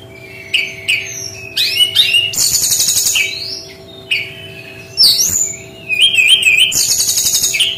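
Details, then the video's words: Brown-chested jungle flycatcher giving its distinctive 'tembakan' song: quick runs of sharp, high chirps, slurred whistles and wavering trills in several bursts, with a low constant hum in the background. "SUARA UNIK GAYA TEMBAKAN BERKICAU BURUNG SRDC"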